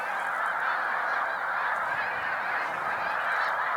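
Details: Snow Geese gathered in large flocks on Cayuga Lake, New York, during a spring migration stopover on 20 March 2021 raise a constant, even chorus of many nasal honking voices.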